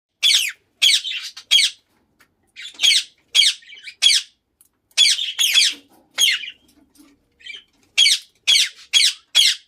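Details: Lutino Indian ringneck parakeet, kept as a pet indoors, giving loud harsh squawks in bursts of two to four, each short and grating, with brief pauses between groups; a room's quiet background.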